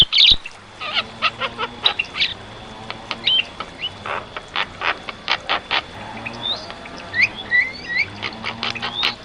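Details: Javan myna singing vigorously as a tutor recording for caged birds; a long medley of sharp clicks, harsh bursts and short rising whistles, with a faint low hum underneath.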